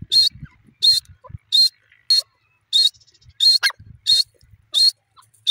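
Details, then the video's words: Francolin (teetar) giving a series of harsh, buzzy notes at a steady rhythm, roughly one every 0.65 seconds, with some soft background rustling. "teter bird sound,teter ki awaz"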